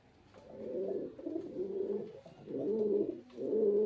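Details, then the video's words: A white male pigeon coos steadily, its deep burbling phrases running almost without a break and rising slightly in loudness toward the end. "Pigeon🕊️ Sound Effect 🔊 || Male Pigeon🕊️ Super Performance👍 || White Pigeon🕊️"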